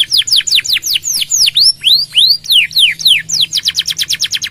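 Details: Canary, gacor long nembak song used as a master for other songbirds: loud arching whistled swoops, several deeper curved notes, then an accelerating run of rapid downslurred notes.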